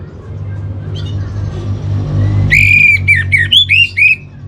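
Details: Orange-headed thrush master song for training. After faint background sounds, about six loud, bright, down-curving whistled phrases follow in quick succession, with low steady rumbling noise throughout.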